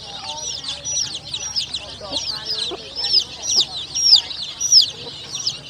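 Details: Colourful young chicks calling in a group, with shrill, piercing peeps that slur downward, some rising at the tip. Softer at first, the cheeps grow louder and more spaced toward the end, with a few soft lower notes beneath.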